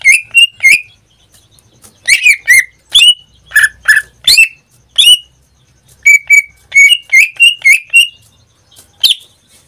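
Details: Greater green leafbird, a caged pet in full song that sings almost daily, gives loud whistled notes with sharp downslurs and ringing overtones in bursts of two to four, separated by short pauses.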